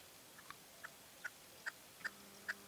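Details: Red-legged partridge male calling at late evening in La Serena, Extremadura; short distant notes repeated about every half second, growing louder, over a steady low hum.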